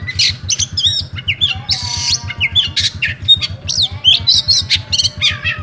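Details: Oriental magpie-robin, a privately kept bird in Comal, Pemalang, Central Java, rewo rewo song: dense, loud stream of sharp whistles, rapid trills and scratchy notes with barely any gaps, low rhythmic droning thump beneath.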